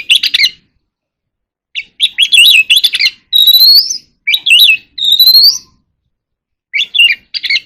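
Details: Oriental magpie-robin in contest singing: bursts of varied whistled phrases at 2–5k, including rising clear whistles sweeping up toward 5k, separated by short pauses.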